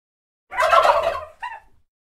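A turkey gives one rapid, rattling gobble lasting under a second, then a brief trailing note; nothing else is heard.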